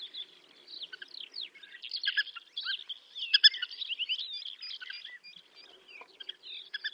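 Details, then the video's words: Black-winged pratincoles (Glareola nordmanni) calling in flight over the Astrakhan steppe, Russia, in April 2017: a steady stream of sharp, chattering, tern-like calls from several overlapping birds, with a faint low background hum. "Степная тиркушка Glareola nordmanni / Black-winged pratincole calls"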